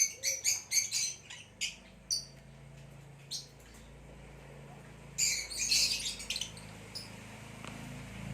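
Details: Scattered high, thin chirps from a ringed male green hybrid Lilian's lovebird, quick notes in an uneven run for two seconds, a lull, then a denser chattering cluster near the end over a low background hum.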